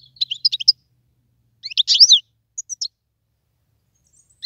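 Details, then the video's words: European goldfinch from the wild sings short bursts of rapid, high twittering notes, with pauses between a chattering phrase, a twangy slurred cluster and a couple of thin chirps. "تغريد مقنين خلوي"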